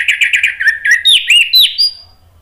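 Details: Orange-headed thrush in full song, used to prompt silent birds to sing: a quick series of repeated whistled notes, then higher, swooping slurred phrases fading out.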